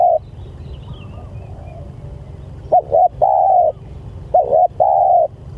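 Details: After a quiet stretch with low hum, a spotted dove calling its companions gives two phrases, each a quick double coo then a longer steady coo, repeated about a second and a half apart.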